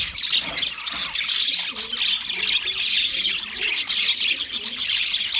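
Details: Chattering song from a group of pet budgerigars: steady high twittering with sharp whistled squeaks and rasping clicks, and soft lower warbling sounds beneath.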